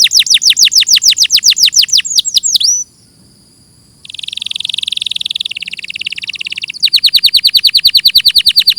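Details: Canary song for tutoring, recorded clearly: rapid falling whistles, a short pause, a soft high trill, buzzy rolling trills, then quick descending notes again.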